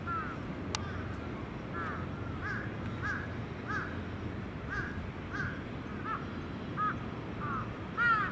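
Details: Crows gathering at their evening roost on a terrace, adults and young birds; a steady run of about a dozen harsh, downward-arched caws, roughly one per half second, some overlapping from several birds, over distant traffic hum.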